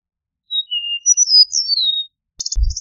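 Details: Eastern meadowlark singing one clear whistled phrase of slurred notes that slide downward over about a second and a half, followed by a short buzzy chattering burst and a low thump.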